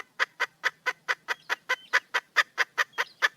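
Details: Female wild junglefowl seeking a male, producing a rhythmic run of loud, clipped clucks a little over two per second, each short and identical, against a quiet background.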